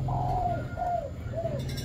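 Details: Caged male spotted dove in Vietnam, prized for its five-note coo, delivering three smooth low coos, each gently falling at the end, evenly spaced, with a low mechanical hum underneath.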